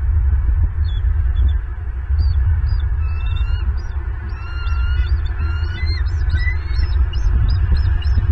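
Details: A bald eagle pair sits together on a branch on a Friday night in Southwest Florida, picked up by a nest camera. Thin, high, whistled chittering notes rise and fall, growing busier toward the end, over a heavy low rumble.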